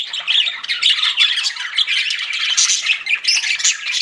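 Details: Continuous chirping from pet budgies, a thick blend of high squeaks, short whistled notes and scratchy warbles from several birds at once.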